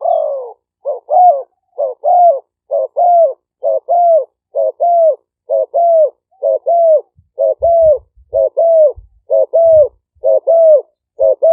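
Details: Spotted doves, Malay strain and flamboyant 'phadphon' style decoy birds kept at a dove camp in Roi Et, Thailand, recorded live by smartphone in 2023 for luring wild doves; mellow mid-pitched coos repeat steadily about once a second, with faint low knocks.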